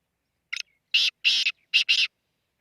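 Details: Black francolin calling near Khushab: a short stuttered note, then four loud, harsh, grating notes in two pairs, each about a tenth of a second long, in silence.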